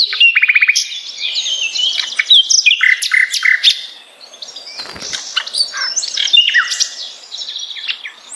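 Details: Luscinia megarhynchos, the Common nightingale, singing as a tutor for contest birds: opens with a fast rattle of repeated notes, then jumbled high chirps, whistles and sharp clicks, pausing briefly before another rich burst.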